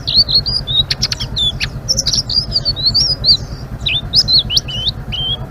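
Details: Lively ngeriwik song from a Blue-winged leafbird, with high sliding whistles interrupted by sharp ticks and chips, phrases tumbling one after another above a steady low hum.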